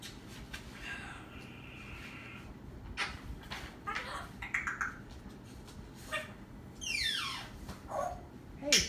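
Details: Talking parrot in a room: scattered soft voice-like sounds, then a loud drawn-out call sweeping steeply downward with rich harmonics, followed by short sharp squawks, with indoor background clatter.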